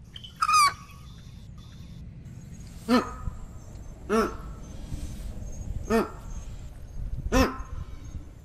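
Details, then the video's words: American white ibis giving short, nasal, honking calls, single notes spaced about a second apart after an earlier higher, rasping note, over a low background rumble. "Canto del Ibis Blanco Americano"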